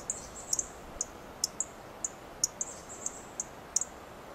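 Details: Perched in a Coast Live Oak, a dark-eyed junco repeats crisp, high ticking chips at irregular intervals, occasionally in quick pairs, against soft background hiss.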